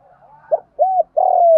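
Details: Decoy spotted dove calling to entice wild birds: a brief note, a rounded hollow coo, then the start of a long, buzzy, gently falling coo, all deep and mellow.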